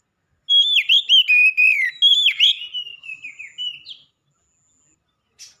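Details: One strong whistled phrase from a black-breasted oriental magpie-robin: quick, loud swooping notes that fade into softer, wavering whistles over about three seconds.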